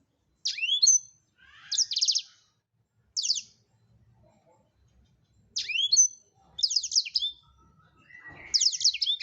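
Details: Actively singing Blackthroat, recorded to train other songbirds: six high phrases in quick succession, mixing sharp slurred whistles and rapid runs of thin descending notes, with little background sound.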